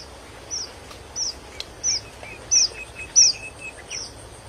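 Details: Red avadavats, also called red munia or strawberry finch, chirping in the wild: short high sweet chirps repeated about every two-thirds of a second, with softer lower twittering notes between.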